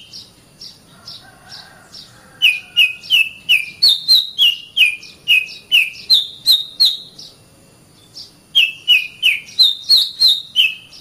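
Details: Oriental magpie-robin master song for training caged birds: rhythmic series of short whistled chirps, several per second, alternating lower and higher pitched groups, in two bursts separated by a brief pause.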